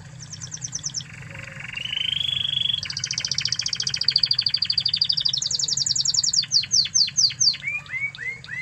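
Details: Spanish Timbrado canary from Spain, a master song for training other canaries: continuous rapid trilled tours shifting pitch, a high metallic rattle, a rising buzzy roll, then descending whistled notes, with a low hum underneath.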